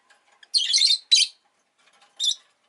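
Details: Agapornis roseicollis giving harsh, buzzy high-pitched chirps: a long grating burst, a second shorter screech right after, then a brief scratchy note near the end.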